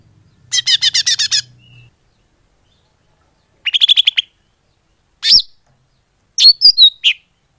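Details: Greater green leafbird used as a lure: a fast harsh chatter over a faint low hum, then a short trill of rising chirps, and finally a few separate sharp, slurred notes.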